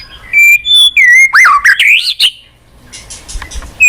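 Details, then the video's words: Lure song of a white-rumped shama, used to make a quiet caged bird reply and sing: steady pure whistles, then a loud rolling series of swooping, warbled notes, a short pause, and a fresh whistle at the end. "Pancingan MURAI BATU MALAS BUNYI Sekali putar langsung NYAUT ,GACOR & BONGKAR ISIAN"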